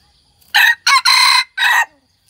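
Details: One-year-old hybrid red junglefowl of the white-earlobed type giving a four-part crow: brief harsh opening, short second note, extended central note, then a closing syllable, with near silence around it.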